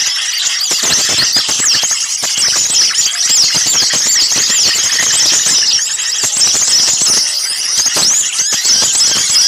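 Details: Small birds in a loud, long-running trapping lure: busy overlapping chatter of sharp, high squealing chirps and rapid twitters from many birds, steady throughout with no gaps.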